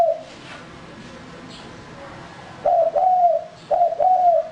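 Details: Lure male spotted dove after a quiet stretch, then giving two cooing phrases close together, each a brief note running into a longer, steady, slightly falling coo.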